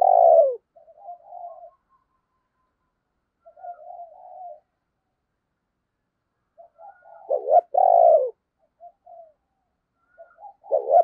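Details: Caged decoy spotted dove cooing to draw in wild doves: a loud falling coo opens, quiet low murmurs follow through long gaps, and near seven seconds a stuttered lead-in runs into a strong descending coo, with another beginning at the close.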